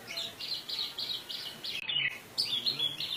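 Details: Orange-headed thrush from Indonesia singing 'teler' style with rich fill, used to prompt other birds to sing; fast repeated warbling phrases in a rhythmic series, a brief cut, then bright rapid notes again.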